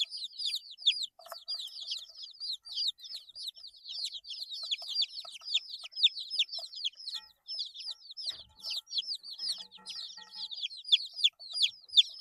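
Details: A brood of eight-day-old chicks keeps up an unbroken chorus of high, falling peeps, overlapping and irregular, with a small knock partway through.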